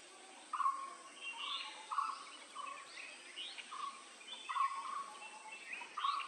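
A blue-throated barbet gives loud, hollow, low notes in a steady rolling series, several a second. Thin chirps from other birds and a constant high insect hiss sit behind.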